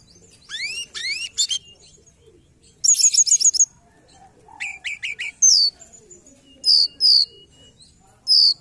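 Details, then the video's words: Forktail calls played as a lure for trapping: thin upward-sweeping whistles, short buzzy rattling bursts and sharp high chips, separated by brief pauses against quiet background hiss. "Pancingan Ampuh Tledekan gunung"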